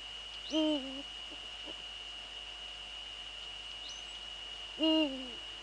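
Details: Deep hoots from a male Eurasian eagle-owl, Netherlands, evening of 6 February 2013 (17:30): two half-second notes about four seconds apart, each falling slightly at the close, with a steady high whine throughout.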